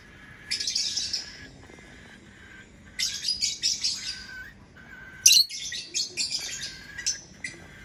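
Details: Lovebird chirping in three dense bursts of shrill, rapid, high-pitched chatter, with quiet gaps between bouts and a brief harsher squawk-like note opening the last burst.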